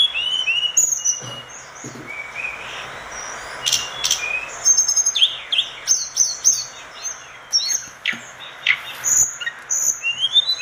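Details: Lively orange-spotted bulbul song recorded for training other birds: varied high whistles, sharp chips and quick rising notes in irregular bursts, with a soft hiss behind.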